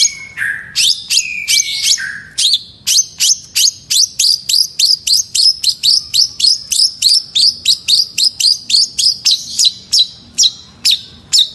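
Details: Long-tailed shrike singing energetically: a few slurred whistles open into a fast run of sharp, scratchy chips repeated about three times a second for nearly ten seconds, steady and insistent.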